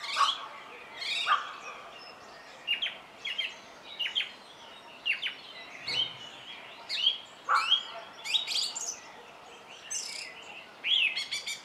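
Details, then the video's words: Song thrush singing: loud varied phrases of sharp whistles, clicks and buzzy notes, many phrases given in quick bursts with short pauses between, over a quiet outdoor background. "Énekesrigó - Turdus philomelos - Song Thrush"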